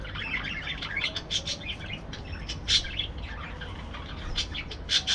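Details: Aviary parakeets give bright, sharp chirps and thin tweets, spaced irregularly, with a few louder squeaks standing out over a low background hum.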